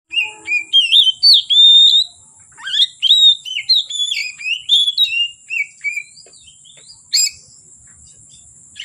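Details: Oriental magpie-robin in vigorous song, singing from afternoon until dark: a fast run of varied clear whistled notes, rising and falling slurs and short chirps, with brief pauses and a steady thin high-pitched tone throughout.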